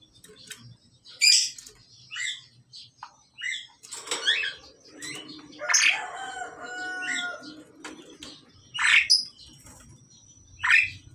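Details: Male and female pied mynas during pairing: loud harsh squawks and rasping notes in irregular bursts, with a longer chattering phrase around six seconds and a thin whistle near the end.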